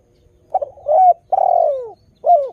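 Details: Spotted dove, a strong-singing bird with a melodious voice, used to lure new wild doves into calling back: low soft cooing, a short stuttered note, a long downward-sliding coo, then a final short coo.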